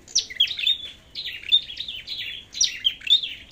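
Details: Flowerpecker, red-headed, singing in competition: rapid high, thin chips and short downslurred whistles run together in two lively bursts, every note sharp and piercing.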